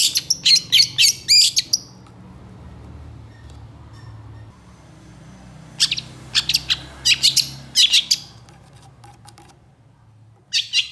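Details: Long-tailed shrike in full agitated song, tutor recording for stressed or lazy shrikes: clusters of fast, sharp, high chattering notes in bursts of a few seconds, separated by long quiet stretches.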